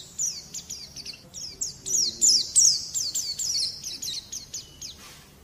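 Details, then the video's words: White-eye training song for young birds: a run of high, thin downslurred chips repeated about three per second, a slightly louder trilled burst midway, then trailing off, over soft background hiss. "Terapi Masteran Terbukti Ampuh Mancing Bunyi Pleci Bakalan"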